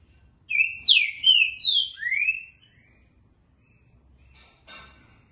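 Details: Trinca-ferro verdadeiro, the green-winged saltator, gives a dobra and boca mole song: a quick string of five bright slurred whistles, some rising and some falling, followed by silence and a single faint click near the end.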